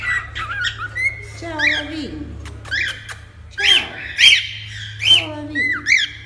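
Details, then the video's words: Cockatiel calls used for taming a pet bird: whistled chirps and warbling notes with rising and falling sweeps, in bursts separated by short pauses, over a low steady background hum. "AMANSAR CALOPSITA EM 10 MINUTOS!"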